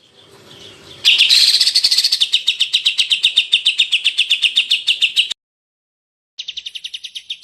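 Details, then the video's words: Fast jantrok series of a greater green leafbird from a masteran recording: a soft lead-in, then a long loud train of sharp high chips near four per second, a silent gap, and a higher, thinner run. "CUCAK IJO Auto JANTROK denger Suara Masteran ini"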